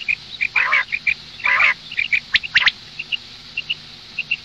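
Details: Female common quail calling, meant for morning use: short clear high pips repeated at uneven intervals, broken by two longer harsh, rasping bursts and a few sharp clicks, over a quiet low hum.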